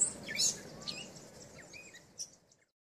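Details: Grey catbird singing at Point Pelee National Park, Leamington, Ontario, mimicking other sounds in a long run: short varied high chirps, squeaks and slurred notes in quick irregular bursts, fading toward the end over faint background noise.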